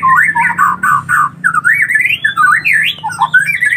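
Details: Collared kingfisher chicks beg with dense, wavering whistles. Quick undulating notes open the passage, then a long, rising and falling squeal climbs higher before settling back down.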